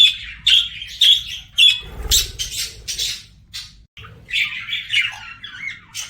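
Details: Budgerigar song opening with four evenly spaced sharp chirps, then a short burst of noise, followed by a rambling warble of scratchy and whistled notes.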